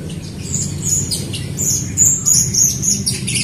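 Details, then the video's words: Bright, repetitive Jalak Rio myna song, used to prompt other Rio birds to sing. Quick high whistled notes and squeaks come in steady succession, set against a prominent low droning hum. "JALAK RIO GACOR untuk pancingan RIO RIO BAHAN OMBYOKAN & MALAS BUNYI"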